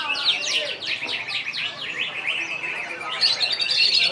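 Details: Greater green leafbird (cucak ijo) competing at a songbird contest in Serasam Sekura, with a lovebird also present: fast, high, sharply descending chirped notes repeated in a rapid chain, ending in thinner twittering, with faint crowd noise.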